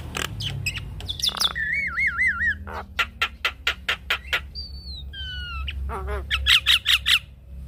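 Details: Javan myna singing, from a training recording meant to coax mynas into song. A wavering looped whistle gives way to a run of sharp, evenly spaced clicks, a descending slur, and rapid burry notes at the end.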